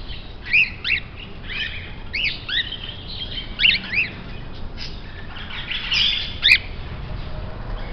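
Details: Grey parrot kept at a rare-bird shop: a series of short, sharp rising whistles and squawks, spaced irregularly about every half second to a second, with a louder harsh burst near the end over a faint background hiss.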